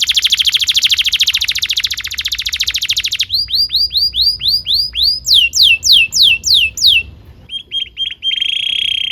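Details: Canary song for tutoring young canaries: a fast high trill gives way to a series of loud, swooping downward whistled notes, then a short clipped buzzy phrase and steady tone.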